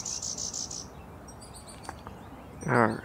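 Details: An unusually chickadee-like call from a male warbler believed to carry a little golden-winged ancestry: five high, buzzy notes repeated rapidly, then quiet background chirps and a louder lower sound at the end.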